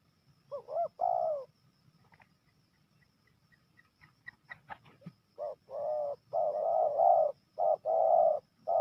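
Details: Spotted dove from Jambi in crisp "kuk-kuk" style, soft hollow coo phrases of short notes and longer drawn coos repeated, with a gap containing faint clicks and rustles midway.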